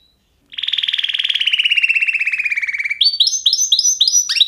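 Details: Canary song: a long, rapid, rolling trill that sinks steadily in pitch, then switches to lively, repeated upward-sweeping whistled notes.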